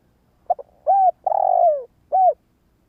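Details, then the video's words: A decoy spotted dove calls to attract wild doves, giving a double short note and then a three-part coo phrase with a long descending middle note, clear and close in near silence. "Tiếng gáy cu mồi cây | Tiếng chim cu gáy kích bổi nhanh nổi hiệu quả"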